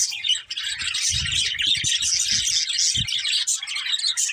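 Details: Budgerigars chirp and warble together in a continuous high-pitched flock babble. Low knocking or handling sounds tap underneath.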